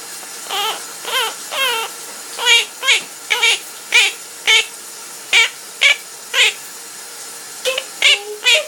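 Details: Pet parrot singing indoors while its owner showers: a run of short, harmonic, bending notes repeated roughly twice a second, some gaps between phrases, over a steady hiss of running shower water.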